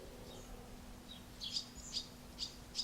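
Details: Barn swallows, a pair feeding one of their chicks at Alzira, Valencia, in late June 2016: four short high chirps, about half a second apart, rising in loudness toward the end over a faint steady low hum.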